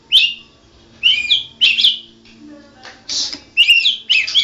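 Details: National champion white-rumped shama in ngerol song: a series of harsh, chattering, scratchy high notes repeated about every half second, with a brief hissing burst in the middle.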